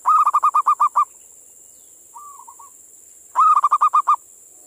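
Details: Zebra dove song played as a lure to stir local doves: a rapid run of about eight bright, bubbling coos, a soft short trill in the pause, then another fast coo series, with a steady high hiss behind.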